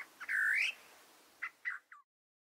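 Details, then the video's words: {'caption': 'Great parrotbill call: one loud, buzzy rising note with strong overtones, followed by three short, softer downslurred notes, then quiet.'} "Great Parrotbill"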